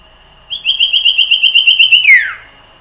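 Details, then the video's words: Wild common iora song, used to spur other ioras into song: one loud, long, evenly pulsed whistled trill on a steady pitch, ending in a sharp downward slur. "sirtu gacor SUARA ALAM LIAR ini ampuh supaya burung cipoh gacor SEKETIKA"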